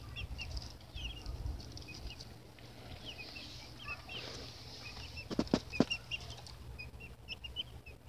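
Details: Baby chicks peep rapidly and continuously in brief high chirps, joined midway by a few sharp clicks or taps, all over low droning noise.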